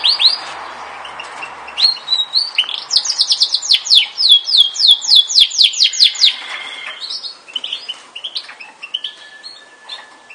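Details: Yorkshire canary delivering a long rattling trill of steeply descending notes repeated several times a second, framed by softer warbled notes and a faint steady whistle toward the end.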